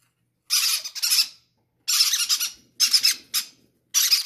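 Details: Baby parrots, hand-reared chicks, begging greedily to be fed first: harsh, raspy, broadband squawks in bursts of about half a second to a second, with short silent gaps between them.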